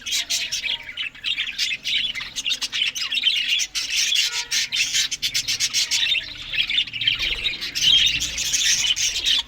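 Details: Australian budgerigars chatter steadily while eating green food in the morning, with raspy, grating squawks woven among high twittering warbles and a faint low rumble late on.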